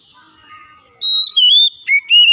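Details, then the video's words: Oriental magpie-robin (kacer) song, meant to turn a lazy singer into a constant one: faint soft warbling at first, then loud pure whistles with a wavering note, a downward slur and a final sustained whistle. "KACER YANG MALAS BUNYI JADI GACOR"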